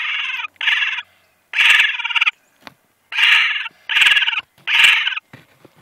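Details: A pair of Laughing Kookaburra nestlings in a nest box about 6 m up at Steiglitz, Victoria, give harsh, rasping begging calls: six loud buzzy bursts of about half a second each, with brief pauses and a few faint clicks.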